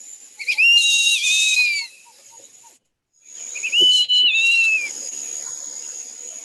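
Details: West Indian whistling duck (Dendrocygna arborea), Caribbean, giving two clear, shrill whistled phrases that rise, hold and slide down, about three seconds apart, over a steady high hiss.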